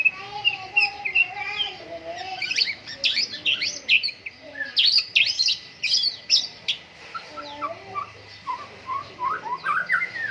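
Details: Vigorous white-rumped shama song at a morning dew airing: rich, fast-changing whistles and dense bursts of sharp, high notes, briefly pausing, then resuming with rising slurred phrases.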